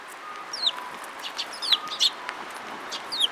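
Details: Several sparrows at Mizukami Bridge on the afternoon of 31 March 2022; short, high chirps and sharp downward-sliding notes come in irregular bursts, roughly three a second, over a faint steady hum.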